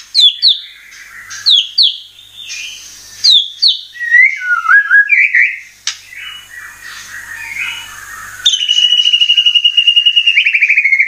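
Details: Murai batu (white-rumped shama) lure recording: scattered chirps and slurred whistles, then an abrupt switch to a fast, steady rattle of high notes.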